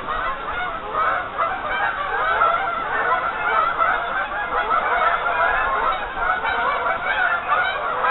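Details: Many geese gathered on a lake partly covered in ice, a constant wall of overlapping honks and nasal cackles that swells slightly mid-recording, with individual calls blurring into one chorus.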